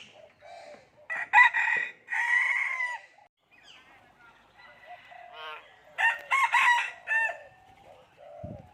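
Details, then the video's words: Common hill myna speaking human language: clipped nasal syllables followed by loud, harsh, word-like phrases, a gap of softer murmurs, then another cluster of strong talk-like calls and a low thud. "common hill myna speaking human language"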